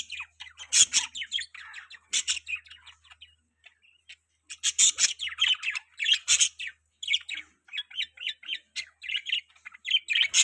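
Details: Budgerigars chirping, a busy mix of short scratchy squawks, bright tweets and warbling chatter in quick bursts, with loud clustered outbursts around the first, second, fifth and sixth seconds and steady twittering toward the end.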